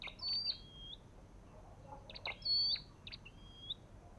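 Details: Olive-backed tailorbird with two sharp call phrases: a clicky burst, a high flat whistle and a lower drawn-out whistled note, separated by a quiet pause, in a calm setting.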